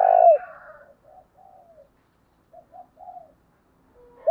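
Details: Spotted dove cooing in early morning to lure wild doves, thổ đồng voice style: one loud low coo, then softer broken coos trailing off and short murmured notes after a pause.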